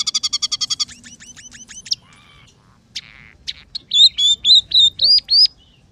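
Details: Scaly-breasted munia in lively song, filled with sparrow, red siskin and canary-like phrases: a fast run of about ten sharp high chirps, then scattered buzzy notes and a closing string of loud whistled upslurred notes.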